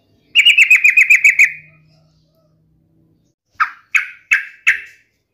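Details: Yellow-vented bulbul singing to goad rival bulbuls into replying: a quick run of about ten chattered notes sliding downward, then after a pause four separate sharp, evenly spaced chips.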